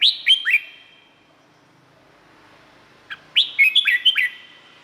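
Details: Thai red-whiskered bulbul singing a quick three-note phrase, a silent pause of over two seconds, then a longer tumbling run of about six bright whistled notes.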